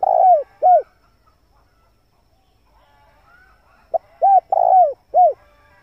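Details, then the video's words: Male spotted dove cooing to lure wild doves: the tail of one phrase, then a full phrase three seconds later, with a quick tap note, two arched hoots, a longer rolling coo and a final hoot, all low and mellow. "pancingan suara burung tekukur jantan mp3"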